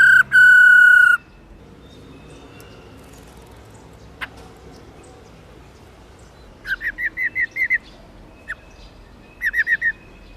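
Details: Female black-throated laughingthrush (Garrulax chinensis lugens) calling 'ro ro' to stir males to sing. A loud steady whistled tone opens, followed by a single click, then a rapid run of seven ringing notes and later a shorter run of four.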